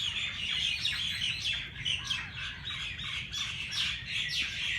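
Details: Morning bird chorus in Jilani Park, Lahore: overlapping sharp, bright tweets and short downward-sweeping chirps tumbling over one another throughout.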